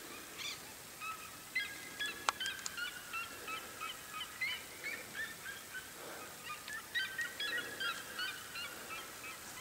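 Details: Red-legged seriema from Minas Gerais, Brazil, where it is the state bird: a rapid run of loud, harsh yelps repeated about three times a second, with overlapping calls and one sharp click near the start.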